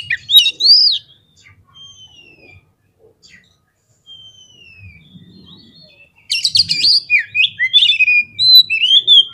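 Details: Oriental magpie-robin song played to provoke fighting males into agitated response: clear rising and falling whistles with short pauses, then a dense burst of rapid chattering and varied whistled phrases from about six seconds on.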